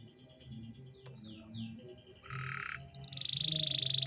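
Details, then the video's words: Domestic canary in lively 'gacor' singing form, performing a 'cengkok mewah' (luxurious phrasing) song used as a tutor recording for young birds: quiet at first, then a sudden loud, fast, high trill of rapid repeated notes to the end. "MASTERAN KENARI GACOR || Cengkok Mewah"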